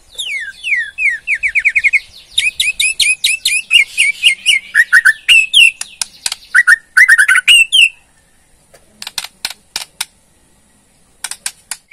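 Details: Borneo white-rumped shama, a caged bird, giving a rattling ketrekan song used to provoke a response: a rapid series of sharp chirps and descending whistled notes, then dense harsh rattles and scattered clicks near the end.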